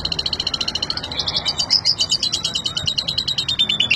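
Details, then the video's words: Asian pied starling (jalak suren) in ngentrok song, delivering a fast continuous buzzy trill of high chattering notes, pulsing about twice per second. "KICAU SUPER JALAK SUREN NGENTROK"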